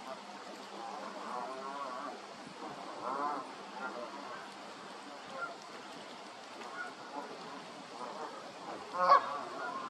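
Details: Canada goose, honking calls from a flock, a few harmonic honks in the first half and a sharp louder honk near the end, over steady broadband background noise.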